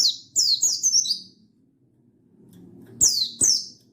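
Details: Buxtoni mountain white-eye, recorded 16/8/22, calling to challenge a rival so that other white-eyes start singing. A quick run of four thin, high, down-slurred chirps, a short pause, then two more sharp descending notes.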